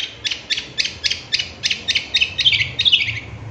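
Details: Long-tailed shrike (cendet) singing isian tembakan style for a masteran pancingan: about a dozen quick scratchy chirps in steady succession, growing busier and more warbled toward the end over a low background hum.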